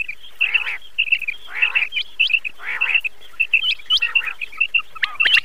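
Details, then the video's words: Battair, or common quail, calling in a recording meant to attract birds for hunting. Clipped, high whistled notes come in quick groups, mixed with raspy bursts that recur roughly every second. "battair ki awaz"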